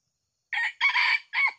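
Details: Decoy red junglefowl in Kuansing, crowing to lure wild birds, with two caught that day: one clear, hoarse crow in three bursts, a short opening note, a long strained middle and a clipped falling end, with silence around it.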